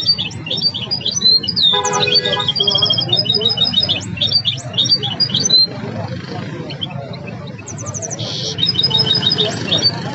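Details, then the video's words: A caged goldfinch hybrid, said to have mastered goldfinch, linnet and greenfinch song, sings a fast, varied song of twittering trills, buzzy rattles and high whistled notes, with faint voices and hum underneath. "الهجين الأسطوري الذي أثقن تغريد طائر بلغيث وجنان الحصيرة والسي الفحم"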